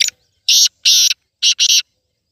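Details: Black francolin, a bred bird, giving harsh, buzzy, grating notes in short bursts: one note, a longer one, then a quick pair, with clean silence between.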